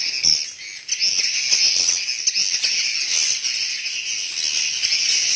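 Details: Swiftlets inside a swiftlet house, a dense, unbroken chorus of high, thin chirps and twitters overlapping continuously, with brief louder bursts and no other clear sounds.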